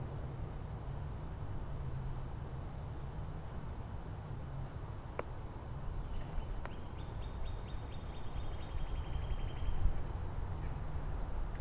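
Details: Northern Cardinal in Angrignon Park, part of an exchange among neighbouring cardinals with at least three song varieties; a long run of many fast repeated units in mid-pitch, over steadily repeated high thin notes of another bird, a few sharp clicks and low rumble.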